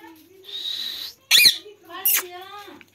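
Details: Indian village parrot on a swing, giving a long harsh high screech, two sharp bursts and a ringing harmonic call, with a low hum beneath.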